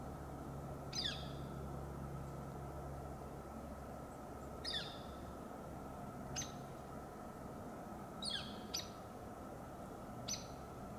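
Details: A juvenile Northern flicker on a Bishop pine in S F B Morse Botanical Reserve, California, responding to a Hairy Woodpecker, gives sharp, high, down-slurred single calls, about six in eleven seconds at uneven gaps, over a steady low rumbling hum.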